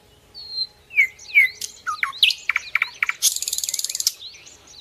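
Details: Common nightingale song played to train other birds: a thin whistle, two sharp descending whips, varied chirps and loud clicks, then a rapid buzzing rattle and soft closing notes.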